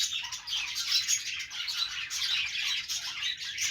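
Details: Budgerigars playing: dense, continuous high chirping and warbling chatter from several birds overlapping, with quick squeaky notes throughout and no pauses.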